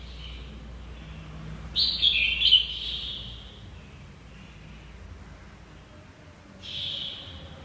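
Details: A young wild-caught red-whiskered bulbul, not yet voice-trained, gives a quick burst of bright, warbled notes, then a shorter clear phrase after a pause of several seconds, over a faint background hum.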